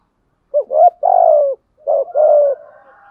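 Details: Cooing of male and female spotted doves used to stimulate wild-caught birds: two soft, low phrases, a brief rising note then a long steady coo, with faint fainter coos trailing after the second; otherwise silent.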